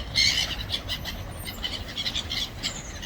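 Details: Gulls squabbling over food, giving short squealing squawks repeated in quick succession, several per second, with one louder cry at the start over faint low background noise.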